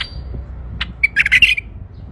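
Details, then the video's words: Short, loud, bubbling warbled phrase from a male bulbul, a quick cluster of rolling notes lasting about half a second after a faint chirp. "اقوه تغريد بلبل فحل طك جنح"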